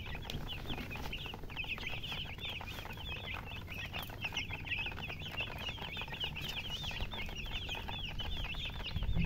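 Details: Chicken chicks cheeping nonstop: a thick layer of thin, high, curling peeps from many birds at once, over a quiet low hum that grows slightly louder at the end.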